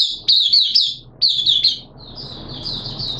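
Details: Caged oriental white-eye during its second day of deworming, September 2022: two short bursts of high, thin twittering with quick chirps, then a softer, fading warble over background hum.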